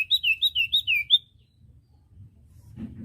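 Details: Song of a common iora from a training recording for caged birds: seven rapid, sweet slurred whistles in a tight burst, then near silence with soft background noise.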